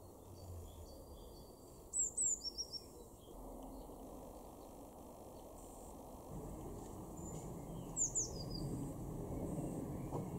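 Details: A Eurasian blue tit in a garden in Weener, East Frisia, northwest Germany, in April 2021 gives two bursts of very high thin notes, a sharp descending note then a quick lower trill, six seconds apart, over a low wind-like rumble.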